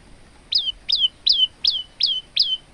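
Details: Six sharp, falling notes delivered in quick regular succession by a male olive-backed tailorbird in vigorous song, recorded as a model for teaching other birds.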